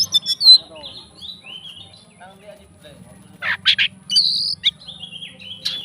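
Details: Oriental magpie-robin, a fighting bird, singing to provoke other magpie-robins: scattered whistled slurs and sharp chirps in bursts, with a buzzy rasping note mid-clip, separated by quiet gaps over a faint low hum.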